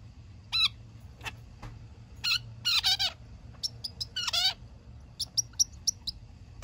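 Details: Caged pet zebra finch, three days in its new home, calling while being given a massage: short nasal buzzy notes with stacked bands, several quick bursts, and a few thin high chips.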